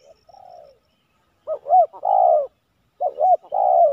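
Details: Spotted dove (tekukur) cooing during a trapping session with a decoy bird in Silaban village, Lintong ni Huta, targeting a kuk 3 male; a faint, distant coo opens, then two loud close phrases, each a short arched note and a long falling coo, about 1.5 seconds apart.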